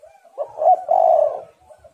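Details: Female spotted dove calling to lure and stimulate males: faint soft notes, then a hoot and a long, steady, husky coo. Gentle murmurs trail after it.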